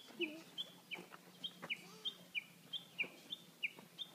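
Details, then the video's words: Birds singing in April, dominated by short, bright, slightly downslurred chirps repeated roughly every third of a second in an uneven rhythm, with a faint low steady hum beneath. "Śpiew ptaków"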